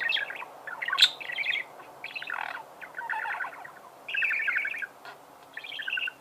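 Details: Pet budgerigar chirping: bursts of quick, chattering warbled notes, each lasting about half a second, broken by short pauses, with a few sharp clicks in between.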